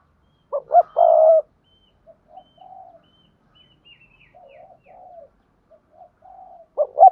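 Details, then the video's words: Spotted dove training call for newly caught doves to coo: one loud phrase of quick lead notes and a long hoarse note, then a string of soft low coos and a fresh phrase starting. "tiếng chim cu gáy thúc gù dùng luyện tập cu bổi mới gáy theo mỗi ngày"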